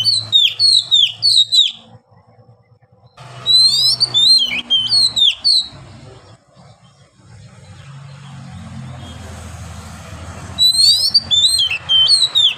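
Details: Oriental magpie-robin (kacer) singing in the ngeplong style with long breath; rapid runs of high, sweeping whistles and chirps in three bursts, separated by quieter gaps filled with low humming background noise.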